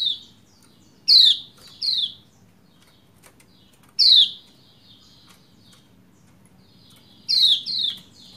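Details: A female Lombok white-eye calls to a male with sharp, high, downslurred 'ciak' chirps, singly or in quick pairs, spaced irregularly over quiet low background hum.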